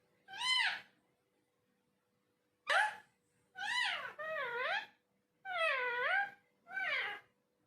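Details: Talking parrot uttering six whiny, cat-like cries, some sharp and brief, others long with a dipping, wavering tone, separated by silent gaps indoors.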